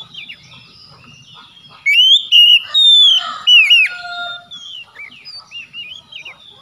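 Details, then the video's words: Oriental magpie-robin song played to get a stalled bird singing again: quiet start, then a run of loud swooping whistles with a brief harsh note, trailing into soft rising chirps. "PANCINGAN CEPAT PEMULIHAN KACER NGEDROP MACET BUNYI LANGSUNG GACOR"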